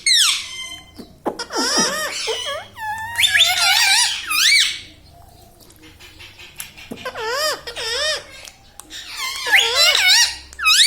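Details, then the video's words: Pet ringneck parrot, a rose-ringed parakeet that talks, saying mummy, papa and radhe; bursts of wavy, rising-falling harmonic syllables, repeated in two long runs with a quiet pause between, indoors. "parrot talking mithu"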